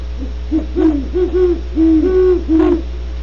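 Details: Several low, even hoots from great horned owls at Starr Ranch, California, following each other in quick, irregular succession, some overlapping, against a constant hum.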